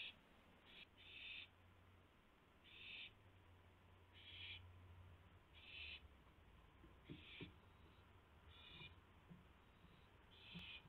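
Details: Repeated short, rasping hisses from an owl at its nest during a food delivery before dawn, 4:09 AM, 4 May 2016, about eight bursts at uneven intervals, with low rumbling and faint knocks underneath.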